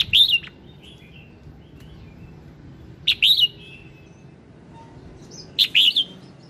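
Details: Red-whiskered bulbul morning song for prompting birds to sing: three loud, cheerful warbled phrases spaced nearly three seconds apart, each a quick bubbling up-and-down figure, with quiet between.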